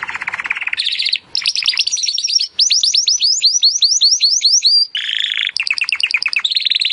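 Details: Timbrado canary in continuous song meant to train canaries: low buzzy roll, then fast trills and a long series of quick falling whistled notes, followed by lower rattling tours, nearly without pause.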